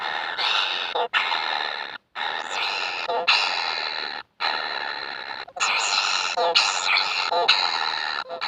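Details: Ever-hungry kingfisher chicks keep up a steady run of harsh, buzzy rasping calls, one after another, with only a few brief breaks, over several seconds.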